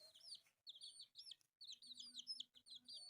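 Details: Colourful pet chicks, four in all, playing; loud high peeps sweep up and down in quick clusters, a short silence near halfway, then a faint low buzz beneath later peeps.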